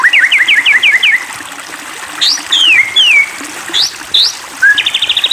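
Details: White-rumped shama song meant to goad another shama into singing. Quick zigzag whistles repeated about six times, then long downslurred whistles, upward flicks, and a fast rattling high trill at the end.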